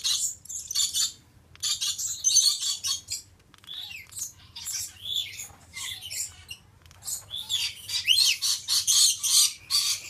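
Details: Stella's lorikeet male (Charmosyna papou goliathina) in a long run of shrill, grating squawks and rapid chattering notes. Bursts come nearly without pause and grow louder and denser toward the end.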